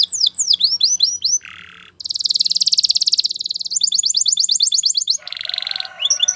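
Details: A Spanish Timbrado canary training song, sung high and fast: quick down-slurred whistled notes, a dry buzzy rattle, then rapid rolling trills, with no other sounds.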